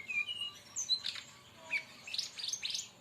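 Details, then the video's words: Song of a brown-chested jungle flycatcher, known locally as sikatan rimba dada coklat and played to lure or train other birds: thin pure whistles, then bursts of rapid buzzy, chattering notes rising high. "masteran tembakan burung SIKATAN RIMBA"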